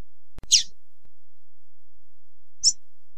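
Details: Female double-collared seedeater (Sporophila caerulescens) song used to stimulate males: two brief, high, thin chirps about two seconds apart, over low background rumble and a single soft thump.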